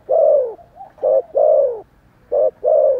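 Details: Close spotted dove cooing energetically, long mellow falling coos alternating with shorter hooted notes, rhythmically repeated.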